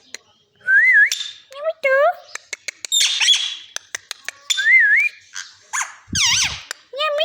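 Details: Parrot talking: a busy string of wavy sliding whistles near two kilohertz, short sharp clicks, rising harmonic chatter and a low raspy squawk toward the end, with short pauses between phrases and no other sounds.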